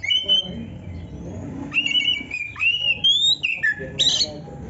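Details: Oriental magpie-robin training song: long steady whistles and upward slurs, separated by short pauses, ending in a burst of high scratchy notes.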